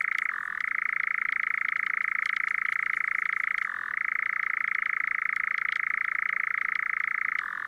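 A European Nightjar gives a long, unbroken mechanical churr, a dry rapid trill that briefly drops lower in pitch twice before resuming. No other sounds stand out.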